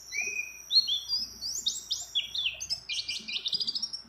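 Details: Female white-eye calling a male while in breeding condition, mixed with many other birds' songs. A thin sustained whistle gives way to tumbling high slurred notes, then a buzzy rapid twittering burst and quick chirps.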